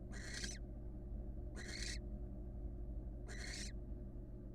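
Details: Wild female barn owl entering her nest box and resting on one leg; three harsh, hissing screeches about one and a half seconds apart, each broad and rasping, over a steady low hum.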